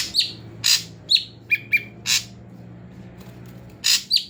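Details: Captive ashy drongo, bathed in the morning and evening and then aired in a covered cage. Rapid harsh chatters mix with clipped descending whistles and a pair of lower flat notes, delivered in a busy, uneven sequence.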